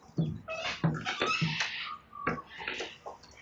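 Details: Sulphur-crested cockatoos destroying a verandah in Belgrave South, Victoria, Australia, morning of 29 May 2022: dense overlapping harsh squawks and grating calls, with low thumping knocks repeated about every half second early on.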